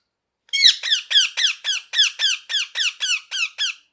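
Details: A parrot chatters out a rapid run of about thirteen short, downward-sliding harsh chirps, evenly spaced and steady in loudness, in a quiet setting.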